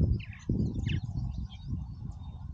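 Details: Purple martins at Oak Harbor, Ohio, busy around their colony; a few short gurgling and rasping chirps rise above heavy low rumbling wind noise.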